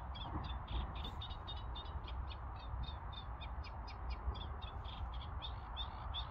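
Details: A reed warbler sings at Crossness Southern Marsh, London, on 12 April 2021. Its rhythmic, chattering phrases of short grating notes repeat without pause over a heavy low-pitched background roar.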